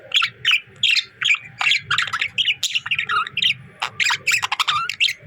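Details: Budgies chirping: a series of loud, sharp squawky chirps about two to three per second, some rising and some falling, with a low hum underneath.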